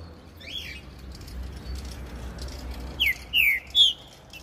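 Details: A caged Green-winged saltator, carried by hand along a street, gives three loud slurred whistles, each dipping and rising, in quick succession after a faint earlier note, over light street hum.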